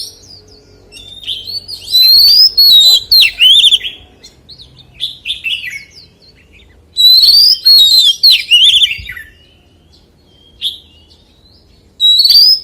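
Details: Forest-voice song of a white-rumped shama: two loud phrases about five seconds apart, each opening with a rising whistle and breaking into quick, bubbling notes. Softer twitters fill the gaps, and a third phrase starts at the end.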